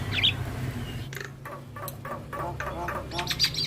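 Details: Javan myna (jalak kebo) in song meant as training material for mynas: a brief high whistle, then a series of harsh rasping chatter notes spaced about a third of a second apart, with low background hum.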